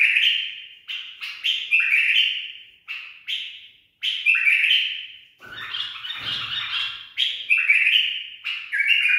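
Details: Tame, trained bulbul singing a barwaz song phrase: rich, fluting whistled notes in short bursts, each sliding and fading, with a denser, scratchier jumble midway and faint low rumbles.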